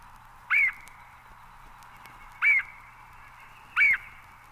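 A Red-headed Woodpecker gives three harsh, nasal, rolling 'queeah' calls, spaced one to two seconds apart, over a faint steady background hiss.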